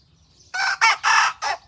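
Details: White Thai bantam cockerel practising its crow in rural Roi Et, Phon Thong: four loud, raspy syllables, the second and third longest, rising out of quiet background chirping.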